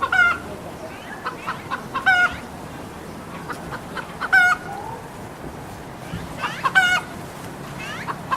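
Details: Red junglefowl squawks over eight seconds: about six loud, harsh, nasal bursts with rich harmonics, some doubled, spaced unevenly at roughly one to two second gaps, with quieter clucks between and steady background hiss.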